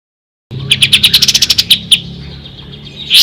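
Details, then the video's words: Ashy tailorbird giving a short run of about a dozen quick, high, clipped notes that speed up and then fade, followed by quiet background and a brief rustling burst at the end. "Suara asli kapas tembak"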